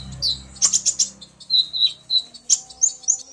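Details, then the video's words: Common iora male stirred into song by a female calling, the pair answering each other; short quick high chirps and clipped whistled notes follow one another in fast succession. "Burung Konin Pancingan EMOSI agar burung bahan gacor"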